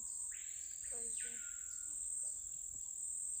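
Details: Screaming Piha, known locally as capitão-do-mato, in the Amazon forest near the riverside community of Santa Luzia do Baré, Lago Amanã. A loud swooping whistle rises then falls, followed by a second descending slur, over a steady high insect drone.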